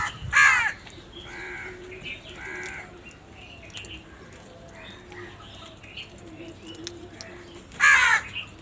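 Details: Crow giving loud caws: a harsh opening burst, a pair of nasal caws, then quieter calls and a second loud rasping caw near the end.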